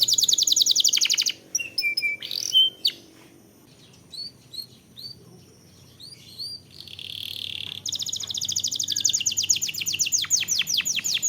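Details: Canary song lure with long rolls, opening with a loud fast trill, then a quieter stretch of scattered chirps and a short buzzy phrase, before a long rapid rattling trill of sweeping notes runs to the end.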